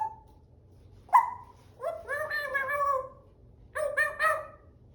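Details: African grey parrot giving a soft tone, then a loud harmonic squawk, followed by a drawn-out rich call and a group of three quick nasal notes, in a quiet room.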